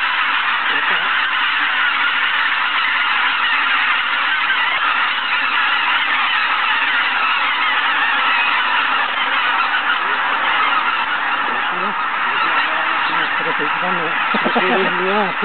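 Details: Huge goose flock at Izunuma, 6 am, keeping up a constant clamour; near the end, closer honks rise and fall above the background roar.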